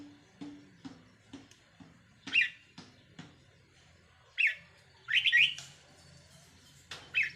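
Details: Red-whiskered bulbul decoy bird, 4 May 2023: a series of soft knocking clicks, then several bright warbled phrases, including a quick run of repeated notes near the end.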